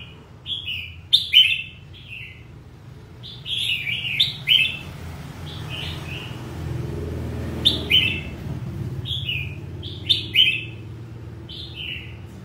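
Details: Red-whiskered bulbul singing in the 'ché' style, described as fired up. Short rollicking whistled phrases repeat in loose groups every few seconds, with a low rumbling background hum.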